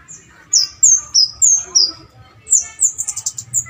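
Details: Bar-winged prinia singing in the lively keres style, offered as a lure and tutor for songbirds: a series of sharp, high, downslurred whistled notes about every third of a second, then a faster run of shorter chirps, over a faint low hum.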